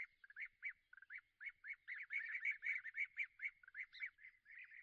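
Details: A pair of European bee-eaters perched in small trees 80 m away at East Leake Quarry, England, on a very sunny morning, 5 July 2017, give overlapping rolling, liquid 'prruip' calls at about two notes a second.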